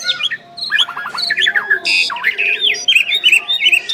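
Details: Duet by two Asian pied starlings: rattling note series, a harsh burst and a string of twangy whistled slurs.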